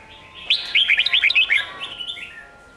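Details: Sông Kôn style phrase sung by a red-whiskered bulbul, used to train young birds for competition singing: a lively chain of about nine quick, bright, bouncing notes that trails off into softer, falling warbles.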